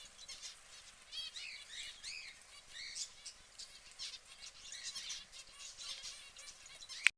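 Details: Preening yellow canary producing curved, whistled chirp notes in quick runs, with busy high twittering behind and a sharp click right at the end.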